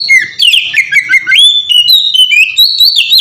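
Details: Oriental magpie-robin in melodious ngeplong-style song, used as a lure to get other magpie-robins singing: a continuous run of clear, varied whistles. Notes slide and warble between mid and high pitch with barely a pause.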